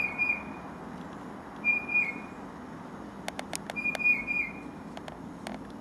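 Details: Tufted titmouse song heard in the company of a Carolina wren: short phrases of three clear, slurred whistles dropping slightly in pitch, given three times, with a burst of sharp ticks and clicks between the later phrases.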